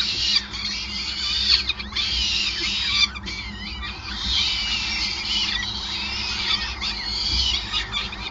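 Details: Feeding at a Groningen peregrine falcon nest on the Gasunie building, 5 May 2020: a continuous chorus of shrill, wavering squeals with brief dips, layered over constant low background rumble.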